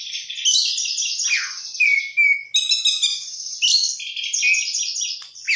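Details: Oriental magpie-robin singing vigorously, a rich song full of isian fill-in phrases: dense run of varied whistles, buzzy warbles and sliding notes, with a clear drawn-out whistle near the middle, delivered without pause.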